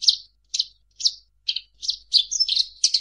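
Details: Eurasian tree sparrows fighting, used as tutor sound for songbirds: a series of short chirps spaced about half a second apart, quickening into a dense jumble of overlapping chirps near the end.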